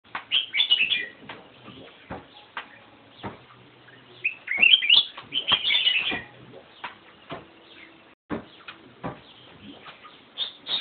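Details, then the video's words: Black-crested bulbul singing melodious phrases: bursts of bright, warbled notes in short clusters, louder passages around the middle, separated by quieter gaps with clicks and faint background noise. "Black crested bulbul sings melodious songs!"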